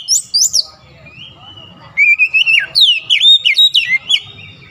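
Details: Oriental magpie-robin (kacer) singing persistently through its learned repertoire (isian): varied whistled phrases, some sliding notes around a steady tone, then a fast run of rising and falling slurred whistles, with a faint low hum behind.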